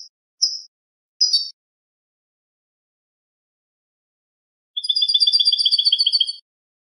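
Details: European goldfinch singing a clean song meant for tutoring captive birds: a few short bright notes, a pause, then a rapid even trill of pulsed notes lasting nearly two seconds, against complete silence.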